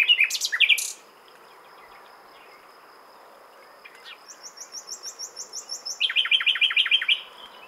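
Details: Nightingale song opening with loud sweeping rapid notes, a quiet gap, then a steady run of high repeated notes building into a louder stuttering burst of fast notes.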